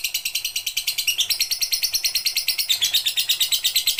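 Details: Lovebird giving a full pigter song for bird training: steady, rapid, shrill chattering beats, about three per second, forming a continuous trill-like stream.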